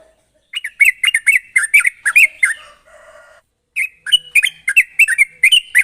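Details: Sooty-headed bulbul singing actively in a rapid, sharp trilling style. The recording is used as a lure to get other bulbuls singing. Quick bursts of bright, bubbly, warbled notes, then a brief pause with a faint low hum, then more fast chattering phrases.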